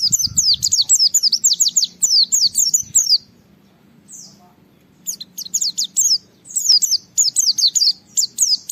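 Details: Japanese white-eye (pleci) in gacor song challenging a rival to stir other white-eyes into singing; dense runs of high, sharp downslurred whistles, a brief lull, then the rapid whistling resumes.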